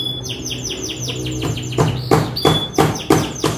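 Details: Young canary gives a quick series of falling whistled notes, then a thin high whistle, while loud regular knocks repeat about three times a second.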